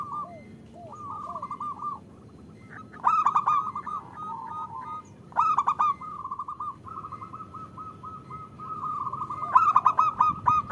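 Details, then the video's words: Caged local zebra dove, the female calling to the male, with overlapping birds: soft falling slurred notes open, then long beaded trilled coos at a steady pitch, broken by sharp clicking bursts. "Suara Perkutut Betina Memanggil Jantan"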